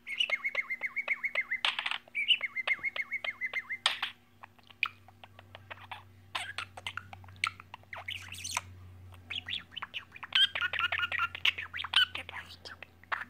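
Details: A pet bird talks in its own language at home: buzzy, steady trilled notes repeated in bursts, then a long stretch of rapid clicks and ticks mixed with brief chirps, over a constant low indoor hum.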